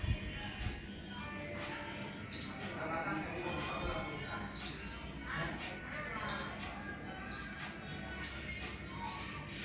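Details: Blue-crowned hanging parrot used as a tutor recording to train contest songbirds: sharp, very high squeaky chirps given singly at irregular intervals a second or two apart, over a murmur of background voices and faint low sounds.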